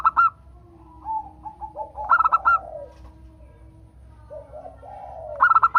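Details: Cooing of a local zebra dove, used to stimulate other doves to sing: a sharp coo burst at the start, another around 2.2 seconds and one at the close, with softer descending rolled notes filling the gaps.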